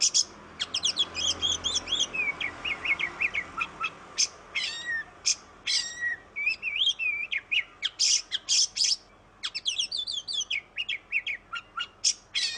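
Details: Oriental magpie-robin in long varied song, played to prompt birds that will not sing: rapid whistled phrases, sliding notes, harsh buzzy bursts and stuttering trills over more than twelve seconds.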